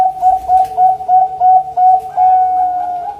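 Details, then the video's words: Zebra dove, local or Bangkok bird, in full lure song: a rapid series of clear, ringing coo notes, about three per second, on an even pitch, ending in a longer sustained, slightly rising note. "perkutut Bangkok|perkutut lokal gacor|pancingan perkutut"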